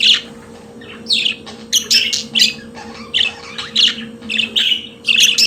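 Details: Singing pet budgerigar gives bursts of scratchy, buzzy chirps and squawks in uneven clusters separated by short pauses, over a constant low hum.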